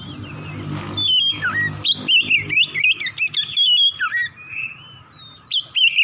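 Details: Oriental magpie-robin singing in the morning to encourage another bird to sing; after a humming start, a lively run of loud whistles, slurred dips and quick trills follows, with mechanical hum underneath.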